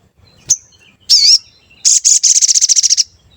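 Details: Sooty-headed bulbul lure song, described as a "cuit cuit" sound for luring birds and stirring them to sing: one sharp high whistle, a wavering buzzy phrase, then a long fast rattling series of about fifteen high notes.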